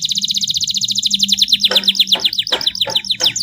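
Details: Canary tutor song, 'tembakan pedes' style with luxurious 'cengkok mewah' turns. A quick high trill moves into louder, slower chopped notes, with a low background hum and some clicks underneath.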